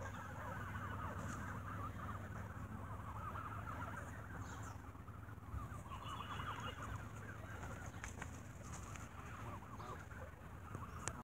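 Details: A group of geese squabbling during an evening feeding with bread; dense, overlapping honks and chatter continue for the whole stretch, roughly three calls a second, over constant low rumble with occasional sharp clicks.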